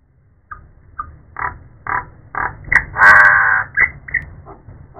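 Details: An untrained common myna gives a run of harsh, grating croaks and chattering notes, about three per second, ending in a long raspy screech.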